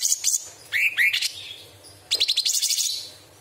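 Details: Straw-headed bulbul singing sharp tembakan phrases with mimicry of other birds and insects: brief high notes, paired rising whistled slurs, then a long rattling high trill fading out.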